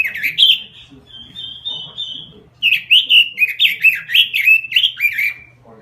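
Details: Robin in full lure song: warbled notes, a long even whistle held about a second, then a fast series of looping, downslurred whistles, over a faint background hum.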